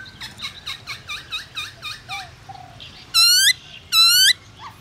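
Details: Black-throated laughingthrush song used to trigger singing in other birds: about nine quick repeated dipping notes, a few soft low slurs, then two loud harsh buzzy bursts.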